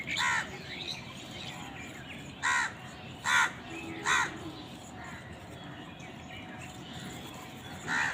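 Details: Harsh, grating crow caws, five short bursts spaced about a second apart with a longer pause before the last, as crows fight for food amid soft ambient noise.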